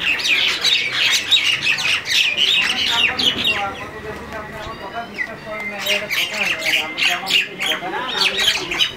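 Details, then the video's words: Common mynas quarrelling in Bangladesh: a dense, continuous run of harsh, grating squawks and chatters, overlapping and irregular, with brief tonal notes mixed in throughout nine seconds. "বেয়াদব শালিক পাখির ঝগড়া .. শালিক পাখির মারামারি fighting shalik birds"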